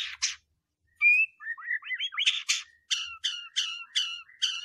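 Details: White-rumped shama lure song for prompting other birds to sing: two sharp notes, a pause, a quick slurred whistled run, then a series of evenly spaced, clipped, ringing notes repeated about twice a second.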